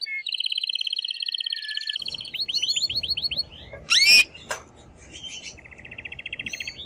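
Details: Male canary singing very strongly to stimulate the female to mate and to train young birds: rapid pulsing trill, a run of quick upswept notes, one harsh loud burst, then another fast trill over faint hiss.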